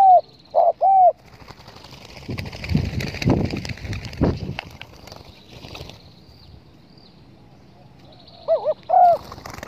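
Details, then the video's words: Spotted dove call played as a lure for bird hunting: short, soft, low hooting coos with a wavering shape, a group of three at the start and a pair near the end, separated by several seconds of rustling and handling noise. "pancingan suara burung TEKUKUR"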